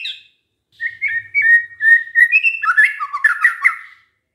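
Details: Shama lure song for triggering replies from other White-rumped shamas: a string of level whistled notes building into a busier, rapid warbling passage with scratchy high accents, ending abruptly.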